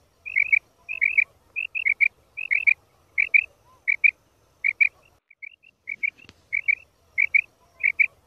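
A female common quail gives quick, high, paired chirping notes, repeated steadily about every half second, with a faint low rumble behind.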